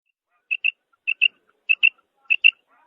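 A female quail gives sharp, high double notes, pair after pair about every half second, against a quiet background.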